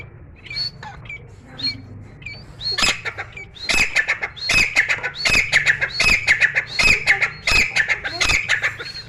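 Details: Grey francolin singing continuously inside a room: soft scattered chirps at first, then a long sustained series of loud, harsh, ringing notes repeated at a brisk rhythm.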